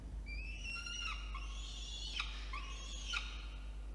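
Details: Nestling peregrine falcon begging as an adult brings food, nest box on a water tower in Orange, New South Wales, November 2021 at night; long, bending, whining screeches that rise and fall, two main wails.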